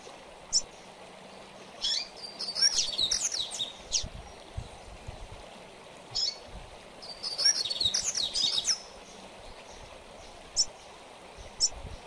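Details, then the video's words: Double-collared seedeater (coleiro) singing in the mateiro song style, used for training captive birds; two bursts of fast, high, twittering and buzzy phrases with sharp rising and falling notes, separated by isolated short chips over a steady hiss. "Coleiro Mateiro"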